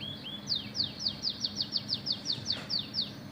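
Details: Oriental magpie-robin singing vigorously with canary-like fill: a steady run of about eleven clear, downslurred whistled notes, one roughly every quarter second, over a low constant background hum.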